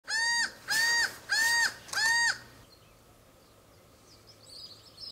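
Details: Laughing falcon (Herpetotheres cachinnans) calling: four loud, nasal, slightly rising hoots, each about half a second long and evenly spaced, then fading into quiet background with faint distant birds.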